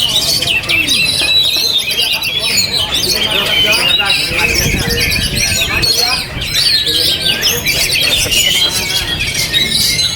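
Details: Kept Oriental magpie-robin still singing while buffeted by strong wind. Rapid, busy whistles and scratchy chatter run without pause, with sweeping slurred notes, above continuous wind roar.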